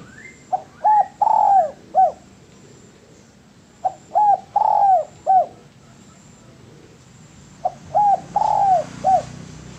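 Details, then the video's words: Spotted dove song, prepared as a master recording for training birds: three phrases of soft, mellow coos. Each phrase has about five notes with one longer drawn-out coo near the middle, and the phrases come roughly every four seconds over quiet background. "MASTERAN DERUK YANG PALING DI CARI BANYAK ORANG"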